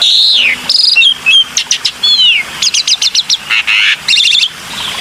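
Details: Black-winged myna lure recording with falling slurred whistles and curved double notes. Rapid groups of sharp clicking chips, and short buzzy bursts in quick alternation.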